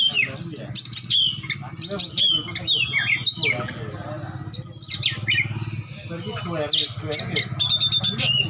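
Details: Fierce besetan singing from an Oriental magpie-robin with lavish mimicked isian: rapid whistles, harsh rasping bursts, steep downward slurs and rattling clicks packed densely, with a constant low hum underneath.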